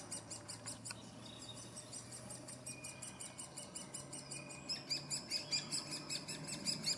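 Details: Great spotted woodpecker (Dendrocopos major) at a nest in Furuberget, Hamar, Norway, summer 2017: rapid, high, thin ticking and chattering notes, about two a second, growing louder and busier toward the end over a faint low hum.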